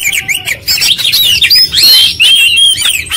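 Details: Short burst of oriental magpie-robin full repertoire song: swooping whistled notes and chatter, loud and almost continuous.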